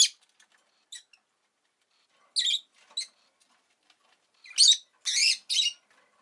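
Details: Scattered high, scratchy chirps from a rosy-faced lovebird, a few faint notes at first, then a cluster of three loud rasping bursts toward the end.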